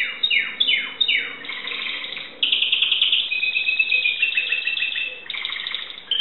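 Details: Timbrado canary from Greece singing in 2009: three quick falling sweeps open the phrase, followed by a long, dense, rattling trill and a brief closing whistle.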